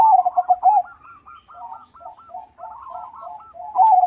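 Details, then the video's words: Crossbred zebra dove singing actively in a loud voice: strong pulsing coos open and close the phrase, with a long string of softer, evenly repeated hooked notes between them. "PERKUTUT CROSSING GACOR SUARA BESAR"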